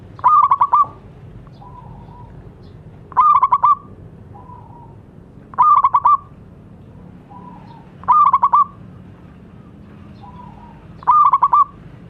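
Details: Zebra dove, a local bird used as a model to get silent doves singing: a loud burst of rapid stuttering notes near one pitch recurs about every 2.5 seconds, with softer trilled coos between.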